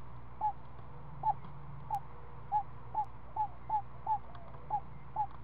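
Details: Owl owlet aged seven days, fed snake at the nest in the afternoon: scattered single short falling notes, ten in five seconds, irregularly spaced, with a faint steady low hum.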